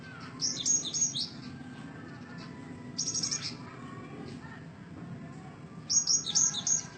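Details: Cinereous tit: three separate bursts of thin, very high, buzzy trilled notes at intervals of a few seconds, with quieter twittering between and a steady low rumble underneath.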